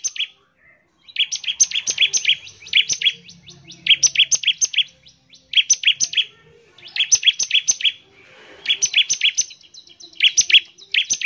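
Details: Bar-winged prinia in full 'nembak ngebren' rapid-fire song meant to call other prinias into singing; clipped, bright two-tone notes fired in tight runs of five or six, repeating steadily after about a second's rest.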